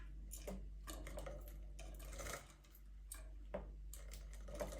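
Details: Clattering and tapping in a small indoor room over a steady low hum, with scattered sharp knocks and no animal voice.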